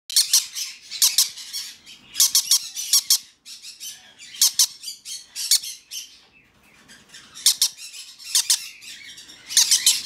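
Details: Young hand-tame green-cheeked conure chick (red-cheek pineapple variety) gives harsh, raspy squawks in quick bursts of two to four, about once a second, with short quiet gaps between runs.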